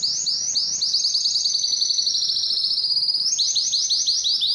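A canary sings a loud, high song of quick repeated notes, then a long steady rolling trill, then returns to fast chopped phrases.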